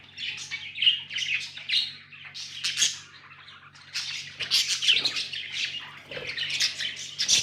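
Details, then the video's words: Tame pet budgies in a room, several birds chattering: rapid buzzy chirps and warbles, loud bursts with short pauses, over a faint low electrical hum. "Budgies amazing love & chirping sounds"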